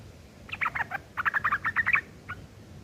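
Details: Sooty-headed bulbul, rough chattering kept as tutoring material for long-tailed shrikes; two quick bursts of grating, stuttered notes, the second longer with around eight rapid syllables, ending in a single faint note.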